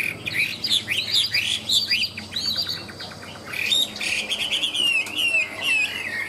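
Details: Chinese hwamei kept in a cage, a 'ngũ trường' singer with high-pitched song: clear looping whistles repeated in quick succession, a short stuttering trill, then long wavering slurred phrases.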